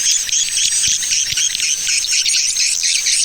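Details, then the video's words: Swiftlet lure call of the style called Tarik Permata, used to attract swiftlets: dense, continuous high twittering chirps packed together in a steady, shimmering wall with thin whistled streaks on top. "Suara Pemikat Walet TARIK PERMATA"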